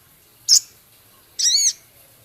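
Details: Male Javan cochoa in a full filler song with scarlet minivet, 'ketikan' and coarse 'crecet' elements. One sharp high note, then a longer, high, ringing note with rich overtones curving downward. A quiet low hum sits underneath.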